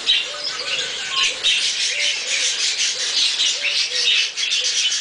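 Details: Two pet Quaker parrots, eating a strawberry, keep up a steady run of raspy, buzzy chattering squawks, dense and continuous, with faint low tonal notes underneath.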